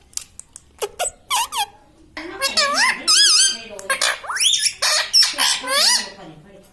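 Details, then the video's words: Household talking parrot known for saying "mitthu mitthu" and "mummy": quick clicks and short chirps, then a string of wavering, harmonic, voice-like phrases with swooping pitch, fairly continuous through the second half. "Talking parrot - Mitthu mitthu - Mummy Bolne Wala Tota"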